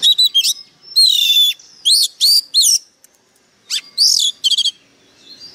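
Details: White-rumped shama decoy bird in fierce song: loud ringing whistles, a long descending slur, sharp upswept notes and a fast rattling trill of repeated notes, with short pauses between phrases.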